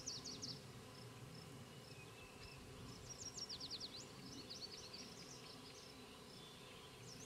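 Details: Black-capped Chickadees, banded male and female, bring food to nestlings in a fence-post nest near Queen's University Biological Station, spring 2006. Rapid, very high chipping and squeaky notes come in clusters, with a brief lower whistle. A background hum runs throughout.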